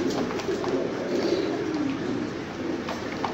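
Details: Domestic fancy pigeons, bred forms of the rock dove, giving a steady low murmuring coo that runs without a break, with a faint higher rustle above it.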